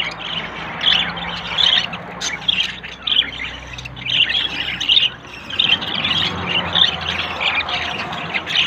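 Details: Budgerigars, a yellow male and a blue female pairing up and hunting for a nest, give steady, busy twittering with squawky notes, almost without pause, over a soft low background hum.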